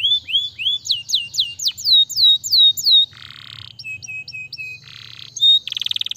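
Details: Canary song opening with rising then falling whistled sweeps, followed by buzzy nasal notes, short flat whistles and a brief fast trill at the end.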